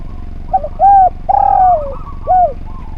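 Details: Spotted dove, a persistent singer recorded to teach other birds its song. Mellow coos come in sequence: a brief wavering note, an arched coo, a long downward-sliding coo, then one short rounded note. A faint trill follows.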